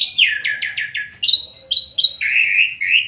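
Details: A rapid series of five falling slurred notes from an Asian pied starling, followed by high buzzy chattering and lower warbled whistles, delivered as lively gacor song.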